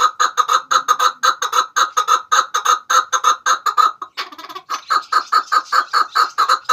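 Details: Chukar partridge call used to lure birds for hunting: a steady stream of harsh repeated clucks, a short rough break near the middle, then the series resumes with a slightly brighter tone.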